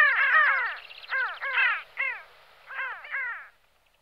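Pin-tailed sandgrouse giving harsh, nasal, down-curving calls in quick overlapping bursts, as if from several birds together, with short pauses between volleys.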